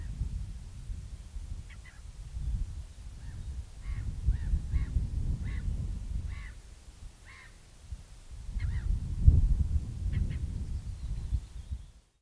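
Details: Northern lapwing (Vanellus vanellus) in Latvia giving short, nasal, wheezy calls in loose, irregular bursts, over steady low rumbling wind noise.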